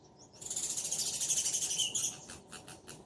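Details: Sparrow pair calling: a long, rapid, buzzy chatter of fast repeated chirps lasting over a second, followed by several separate chirps fading out.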